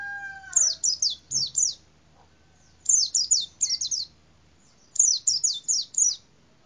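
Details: A white-eye in a cassava tree sings quick runs of four or five high, thin chirps in bursts about two seconds apart; a brief low falling whistle at the start.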